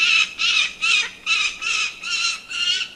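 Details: Falcon calling: loud, harsh, scratchy notes repeated in a steady series, about two or three per second, each a short grating burst, with a quiet background.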